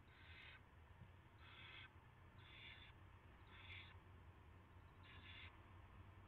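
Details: Owl at a nest around 5:20 AM on 9 March 2016 with a rat brought in; five evenly spaced raspy hisses, each about half a second, roughly one per second, over soft background hum.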